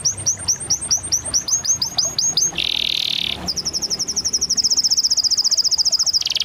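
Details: Canary singing a varied, high-pitched phrase: a row of sharp repeated chirps, then a brief buzzy rattle, then a long, rapid, shimmering trill that holds steady before breaking off.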